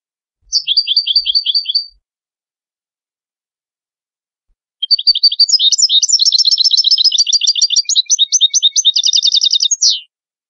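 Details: European goldfinch song: a brief chirping phrase, a pause, then a long bubbling run of high twitters ending in a quick buzzy trill.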